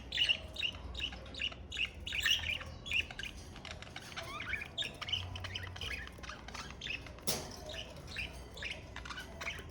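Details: Several budgerigars, kept as pets, give rapid chirps and short warbled notes in quick succession. Calling is busiest at the start, then comes a loud click or knock and softer scattered chirping.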